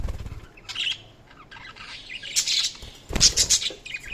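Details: Budgerigars chirping, with bursts of scratchy, high chatter separated by brief pauses, and a thump at the start.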